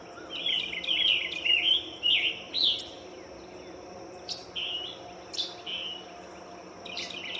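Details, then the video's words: A scarlet tanager sitting in a tree sings a run of burry, warbled phrases, then pauses; later come a few sharper isolated notes against a faint constant hiss. "A scarlet tanager is sitting on a tree with an original chirping sound."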